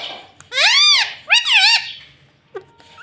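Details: Talking ringneck parrot kept as a pet, saying "mummy": two drawn-out arched harmonic syllables, the second dipping lower, followed by a brief soft squeak in a small room.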